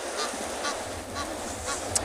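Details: On a beach on 17 July 2022, an Egyptian goose with goslings, possibly calling for its missing partner, gives harsh, raspy honks about twice a second, four in a row, over a soft background hiss.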